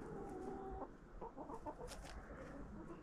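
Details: Backyard chickens feeding on a fall jack-o'-lantern pumpkin: short soft clucks and brief tonal notes scattered over constant rustling and pecking noise.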